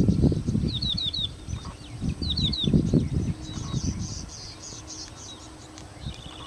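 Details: Yellow-bellied Prinia singing and dancing: two quick bursts of four or five high, slurred chirps, each falling in pitch, over a heavy low rumble of wind, with faint chatter and an insect buzz.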